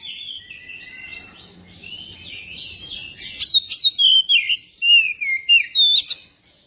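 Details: ['Magpie-robin song used as a prompt for singing: soft steady twittering at first, then a string of about eight loud clear whistled notes, each bending downward, in quick succession.']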